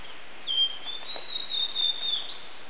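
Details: Blue-and-white flycatcher singing unseen in the mountains of Awaji Island, Japan, recorded on a compact digital camera: a clear high whistled phrase held level for nearly two seconds, ending in a slight flourish, with faint background hiss.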